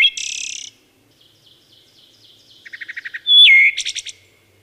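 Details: Wood thrush singing: a buzzy high opening note, soft spaced pips, then a quick run of low staccato notes leading into a bright whistled slide and a shimmering high trill.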